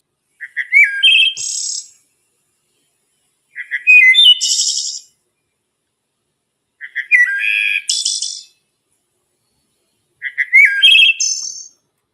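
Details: Wood Thrush (Hylocichla mustelina) song, heard every spring morning in the woods: four flute-like phrases about three seconds apart, each opening with low soft notes, then a clear whistle and a high shimmering trill.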